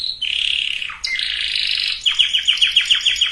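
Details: Canary song played to prepare females and males for breeding: a bright high warble, a sliding buzzy phrase, then a fast run of repeated downward-sweeping notes, about three or four per second.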